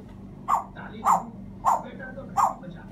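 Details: African grey parrot giving four evenly spaced hoarse, barking notes about every 0.6 seconds, mid-pitched and rough, followed by a sharp click at the end.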